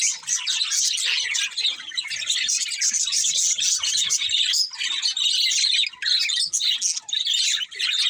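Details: Budgies chirping in a busy, steady stream of high warbling chatter and quick tweets, several birds overlapping without pause.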